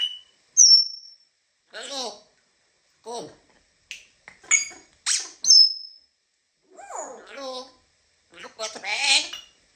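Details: African grey parrot indoors mixing high pure whistles with clipped speech-like syllables and clicks, scattered in short separate bursts, a loud whistle standing out midway and a buzzy chattering burst at the end.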